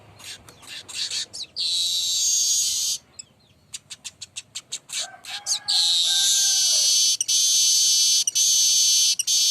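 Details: Baya weaver (burung manyar) singing continuously, played as a lure: a run of quick dry chattering ticks, then a long sustained wheezy, hissing buzz that rises in intensity and holds with brief breaks.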